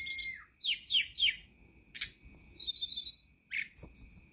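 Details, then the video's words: A flycatcher sings a high, sweet song of thin whistles and quick descending slurred phrases, broken by short pauses and ending in a bright twittering burst. "Masteran dan pancingan tledekan macet biar cepat bunyi"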